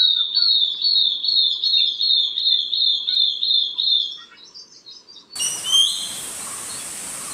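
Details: Long-tailed broadbill, a bird listed in Vietnam's Red Data Book, gives a rapid, high trill of evenly repeated notes for about four seconds, then falls silent before a sudden burst of loud hiss and noise.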